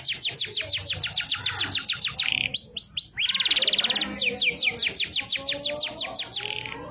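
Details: Canary in full song in the siren and bliut style, unique: long runs of fast downward-sweeping whistles repeated about three per second, a short rolling trill in the middle, then more rapid sweeping notes; faint background hum.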